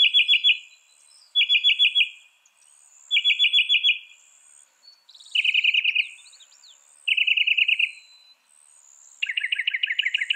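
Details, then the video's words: Northern mockingbird song for training captive songbirds, a bird said to imitate 200 sounds: rapid rattling trills delivered in repeated bursts, the phrase changing in pitch and texture every few repetitions, insects humming faintly. "Masteran suara burung NORTHERN MOCKINGBIRE bisa merekam 200 suara"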